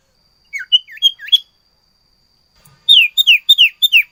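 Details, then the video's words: Sirtu in full song: short hooked whistled notes in a quick group, a brief pause, then a tumbling run of high falling notes. "burung sirtu gacor ful isian"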